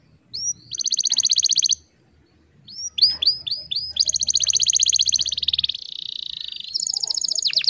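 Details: Female canary calling as a lure to stimulate male canaries to sing quickly: bright, high trills of rapid repeated notes, a run of upslurred chirps, then a long rolling trill ending in quick descending sweeps, with brief pauses between.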